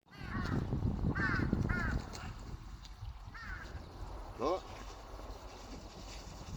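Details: Several crows feeding, recorded 3 March 2026: two seconds of crunchy pecking and chewing, with several short, hoarse caws and one lower, drawn-out caw near the end.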